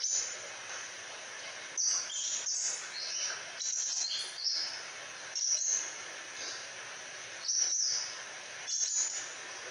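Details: Sunbird singing vigorously: bursts of very high, thin twittering notes come in short runs every one to two seconds over a steady hiss.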